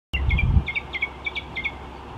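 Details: Mockingbird singing in the morning: a repeated phrase of bright chirped double notes around the same pitch, given roughly every third of a second, over steady low traffic rumble with a thump at the start.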